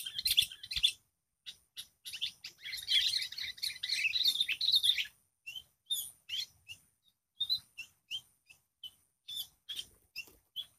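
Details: Wild sooty-headed bulbul facing a caged lure bird: short, sharp chirps repeated rapidly, a dense scratchy flurry in the middle, then evenly spaced clipped notes.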